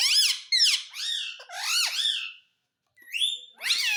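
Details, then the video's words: Rapid run of loud, grating, word-like phrases from a talking parrot said to say mummy and papa, a short pause, then two more bursts. "मम्मी पापा बोलने वाला तोता _ Mummy ka Pyaara Mitthu _ Parrot Talking Video"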